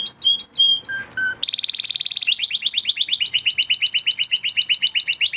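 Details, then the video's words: Huppe Spanish Timbrado canary from 2020 breeding singing training song: varied whistled notes, then a dense metallic trill becoming a long run of rapid repeated chips rising in pitch. "Do you have a Canary with a weak singing voice? Canary Singing Video"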